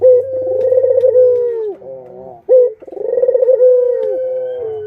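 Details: Two low, rolling coos from captive Barbary doves, adult and young. Each phrase is a rapid vibrating swell that flattens into a sustained, slowly descending note, separated by a sharp break. A faint hum plays at the start.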